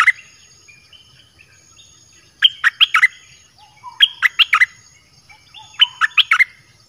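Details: Caged red-whiskered bulbul song, played to lure wild birds, with varied song phrases: three bursts of quick, bright, slurred notes, each a tight cluster of four or five, with softer twitters between.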